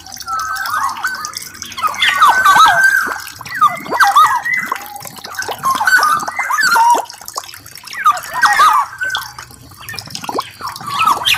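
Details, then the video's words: Black-naped oriole in lively song, delivering repeated bursts of liquid, fluty whistles and gurgling notes roughly every two seconds, each phrase swooping and bubbling, with brief quiet gaps between bursts. "Burung kepodang gacor"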